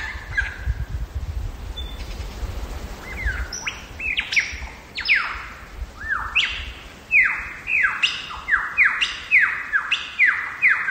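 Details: Wild lyrebird singing in Megalong Valley, Blue Mountains, Australia: a rapid run of loud, ringing whistles that sweep sharply downward, repeating in quick succession and building in intensity, over quiet natural background.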